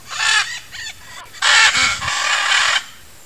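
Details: Blue-and-yellow macaw of a nesting pair gives harsh, raspy squawks: two short grating calls, then two long drawn-out screeches in quick succession.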